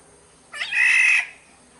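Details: Black-naped oriole of the Sumbawa type: a single harsh, nasal, cat-like squawk lasting about two-thirds of a second, rough and buzzy with a steady mid-pitched band, against a quiet background.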